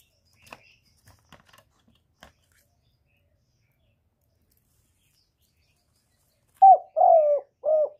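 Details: Spotted dove sound meant to set other doves cooing: after scattered faint clicks and a long quiet gap, three clear, low, rounded hoots close the recording, the middle one longest.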